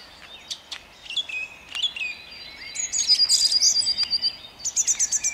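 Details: Song thrush singing at dawn in Jabłonna, 29 April 2021: high, sharp varied notes, then a fast run of about eight identical piping notes repeated twice, with crisp pauses between phrases.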